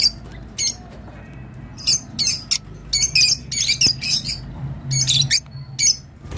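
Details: Rosy-faced lovebird chattering to encourage mating: scratchy high chirps in irregular clusters, growing busier toward the middle, over a faint low hum.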